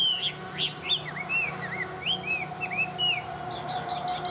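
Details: Chinese hwamei, a tame caged bird, giving a series of clear down-slurred whistles repeated roughly every third of a second after a few louder opening notes, over a constant low electrical hum.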